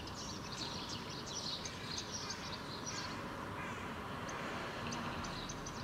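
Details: Male House Sparrow feeding fledglings in a Helsinki park, Finland, June 2013: clustered bright chirps come in uneven bursts, thinning briefly near the middle, against constant low-pitched background traffic noise.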